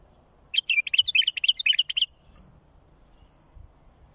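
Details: Bulbul song meant for tutoring young birds and bringing chicks to fledging: one quick warbled phrase of about a dozen bright, bubbling, up-and-down notes lasting a second and a half, then a faint low rumble.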